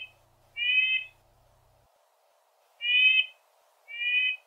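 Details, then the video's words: In the boreal forest, a male red-breasted nuthatch claims his territory with nasal, tinny yank notes, a few spaced about a second apart, with a faint low hum underneath. "it's a male red-breasted nuthatch claiming his territory"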